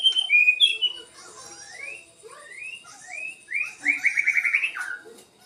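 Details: Captive white-rumped shama at a breeding facility, singing clear whistled notes, then a series of rising slurred phrases, ending in a fast bubbling trill that drops away; faint extra chirps in the background.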